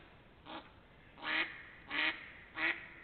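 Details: Ducks in spring 2021, late March to early April, heard as four loud nasal quacks, the first softer, spaced about two-thirds of a second apart over low background hiss.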